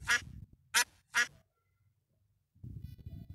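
A duck gives three loud, harsh, nasal quacks in quick succession, followed by a person's voice.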